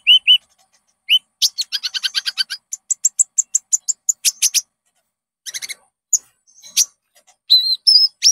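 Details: Konin song used as a lure to train caged birds into singing: quick high chirps, a rapid buzzy trill, and a run of evenly spaced sharp notes, then scattered twittering and short whistled slurs, all on a clean, quiet background.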